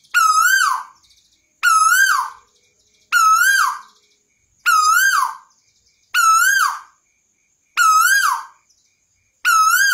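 A scops owl repeats a single hooting note that bends up then down, about every one and a half seconds, with nothing else heard in the background.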